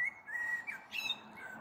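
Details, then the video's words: Common blackbird singing on an April evening, 21 April 2022, as a storm may be approaching, recorded from a balcony: mellow, fluted whistled phrases held level around one pitch, with a brief higher flourish near the end. "Sehr schöne Amsel mit Gesang am Abend"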